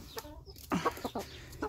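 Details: Chickens in an outdoor enclosure with chicks: a few short, low clucks in quick bursts, with quieter soft notes between them and a faint background hum.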